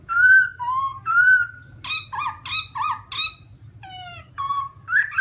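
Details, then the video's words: Black-throated laughingthrush (Garrulax chinensis) giving rich whistled phrases, some long and level, interleaved with five loud harsh, broadband squawks, then more falling and level whistles; constant low hum in background. "Black-throated laughingthrush (Garrulax chinensis): Funny Sounds And Funny Dances"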